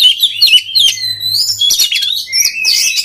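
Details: Oriental magpie-robin song used to train other magpie-robins to sing readily: dense, rapid run of bright whistles and sharp chirps with quick rising and falling slurs, almost without pause.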